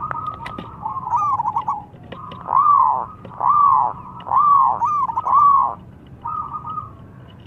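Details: Local zebra dove singing loudly as a lure: rhythmic rounded cooing notes, each swelling and falling, repeated about once a second between short stuttering trills, with low background hum.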